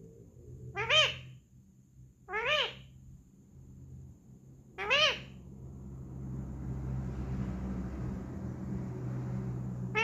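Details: A talking parrot repeating "mummy" three times in clear, voice-like bursts at irregular intervals, then a steady background noise that grows louder toward the end.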